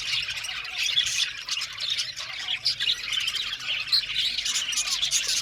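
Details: Many budgerigars in an aviary colony chirp and squawk at once, a bright unbroken chatter swelling and dipping slightly in loudness over a few seconds.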